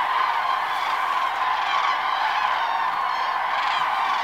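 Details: A large flock of common cranes taking flight in the early morning at Lac d'Arjuzanx: a continuous wall of loud, rolling trumpeted notes overlapping without a break.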